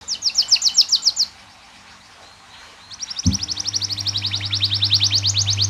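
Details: Lively canary song used to tutor and prompt other canaries to sing: a fast series of bright high trilled notes, a pause, then a longer rapid trill rising in loudness over a steady low electrical hum.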